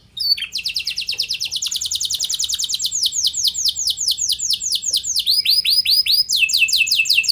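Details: Canary song played as a lure for other canaries; a long rapid trill slowing into descending sweeps, then rolling upswept whistles repeated about three per second.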